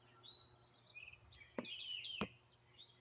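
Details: Wild birds chirping outdoors in Greenville, South Carolina, in 2023, recorded raw on a phone: faint high twittering and a brief thin trill, broken by two sharp knocks, over low steady hum.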